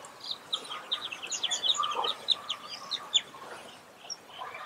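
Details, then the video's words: Several Oriental pratincoles give sharp, high chirping notes in quick, irregular, overlapping bursts over a lower soft chatter and faint background noise. "普通燕鴴 Oriental Pratincole"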